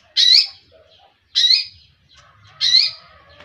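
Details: Long-tailed shrike uttering three loud, grating squawks, one about every 1.2 seconds, each a rough burst with a faint low rustle between them.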